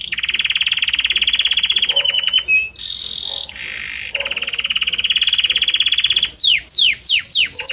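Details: Belgian canary song with varied notes flowing gradually into one another: long steady rolling trills, a brief harsh buzzy note and pause, then another sustained roll ending in quick descending whistled sweeps.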